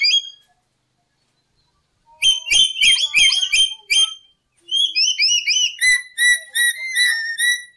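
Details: Lory vocalising as a trapping lure: after a short pause, a dense stretch of shrill whistled and chattering notes, then slurred rising whistles repeated in quick succession, ending in steady squeaky phrases.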